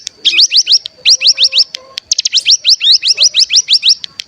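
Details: Bar-winged prinia, called cigun, on a decoy recording to prompt other birds to sing: short bursts of rapid upslurred high notes, then a longer continuous run of the same crisp chirps.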